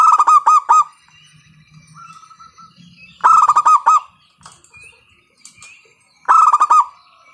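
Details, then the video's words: Loud local zebra dove call, used as a lure to get other doves singing: three bursts about three seconds apart, each a fast run of five or six clipped, hoarse cooing notes, with quiet gaps between. "PANCINGAN PERKUTUT LOKAL SUARA KERAS, bikin pada manggung"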